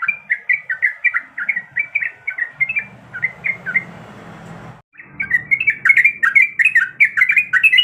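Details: Female yellow-vented bulbul, in breeding condition, calls to the male in quick, choppy chirp sequences; a brief break near five seconds, then faster, louder chirping returns.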